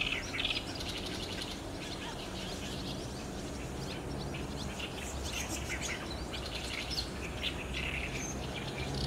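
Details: Many barn swallows flock in to roost under overcast skies on 30 June 2019, recorded on a DSLR. Countless overlapping sharp chirps and twittering notes form an unbroken chatter above a continuous low hum.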